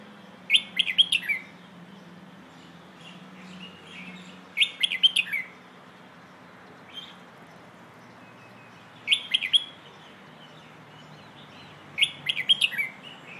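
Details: Red-whiskered bulbul singing in the 'Hoh' song style (เพลงโห่), a training recording played to teach young birds: four short, bright warbled phrases of quick rising and falling notes, spaced a few seconds apart, over a faint low hum.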